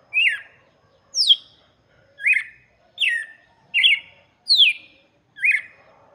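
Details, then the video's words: Red-cowled cardinal song intended for chicks: seven bright whistled phrases spaced under a second apart, mostly downslurred, with one high sweeping note, against a soft low murmur in the background. "cantoria de galo de campina para Filhotes - canto do galo de campina"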